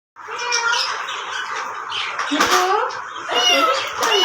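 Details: Pet talking parrot imitating a cat's meow, calling "maow maow": squawky, speech-like harmonic phrases with rising, meow-like notes near the middle and end of the passage, followed by laughter and music.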